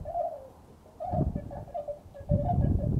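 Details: Bewick's swans at Beuven, Netherlands, 18 December 2011, give soft, mellow yelping hoots, several birds overlapping in quick, uneven bursts, with low wind rumble underneath.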